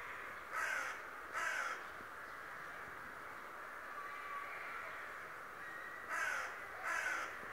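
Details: Raven known for talking, giving two pairs of coarse, croaking calls separated by several seconds of steady background noise.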